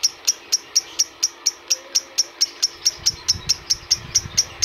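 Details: Sound used to excite adult lovebirds: piercing high chirps repeated about twice a second in a regular series, with some low rumbling toward the end.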